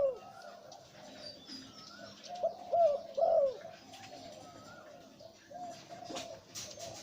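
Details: Deep-voiced breeding male zebra dove cooing: a run of soft, quick low notes builds to two louder, bending coos midway, then trails off into faint repeated notes amid low background noise.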